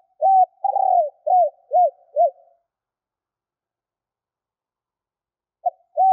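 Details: Female spotted dove lure calling to draw males: a phrase of five to six short arched coos with a longer blurred note second, then about three seconds of silence before the next phrase begins; no other sounds.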